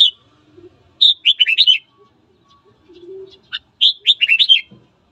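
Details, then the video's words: A red-whiskered bulbul singing in the morning to goad rival birds into fighting: two quick, bubbling phrases of six or so looping whistled notes, separated by a pause with a single sharp note and faint low sounds. "Luyện giọng chào mào hót sáng kích bổi đấu"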